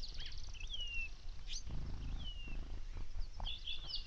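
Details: On a desert morning a Say's phoebe gives three clear, descending whistled slurs spaced about a second apart, with faint chips and a short trill from other birds and a steady low rumble beneath.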